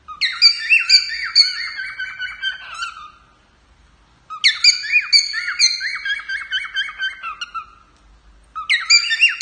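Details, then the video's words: Male cockatiel performing for its owner: two long bursts of rapid chirps and whistled slurs, roughly two notes a second, separated by a quiet gap of over a second, with a third phrase starting. "Calopsita Macho cantando para a dona"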